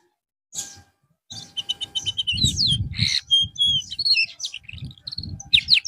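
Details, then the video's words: Canary, given therapy after dropping out of form, sings varied trills, level whistles and slurred notes over low thumping background noise. "TERAPI BURUNG KENARI SETELAH AMBROL"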